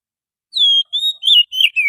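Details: Wild forest Oriental magpie-robin lure song: five rich whistles, a long falling opening note followed by shorter wavering and downslurred notes, clean background.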